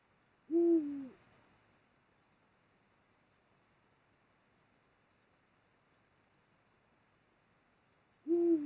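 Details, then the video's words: Deep, slightly falling hoots of a Eurasian eagle-owl during mating along the Mosel in Germany, late January 2022, two calls separated by roughly seven seconds of near silence. "Eurasian Eagle-Owl mating. Uhu Kopulation."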